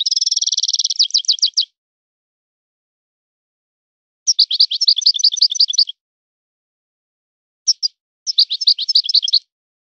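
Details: Goldfinch described as a son of the forest, singing in a breeder's style: three bursts of rapid, high, metallic twittering, the first opening with a sustained trill, separated by pauses of two to three seconds, with a brief two-note fragment between.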